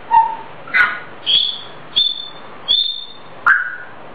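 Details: Pet grey parrot singing a self-made tune indoors; a series of short clear whistled notes, several rising to a high steady pitch, spaced about half a second to a second apart.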